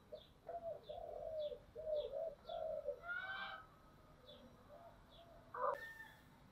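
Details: Spotted dove decoy bird with a thick 'giọng thổ' voice, calling to lure wild doves: low repeated coos in a rough series, with regular high chirps from another bird and a brief rasping burst.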